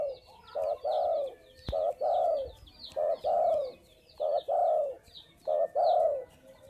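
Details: Spotted dove, noted as calling actively, repeating low mellow coos in phrases of a short note then a longer falling one, about one phrase per second and a quarter, with high chirping of small birds behind.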